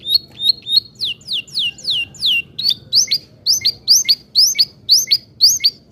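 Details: Persistent canary song used to lure young birds into singing, with rhythmic high whistled notes: short flat tones, then downward-sweeping slurs, then hooked chirps repeated about twice a second.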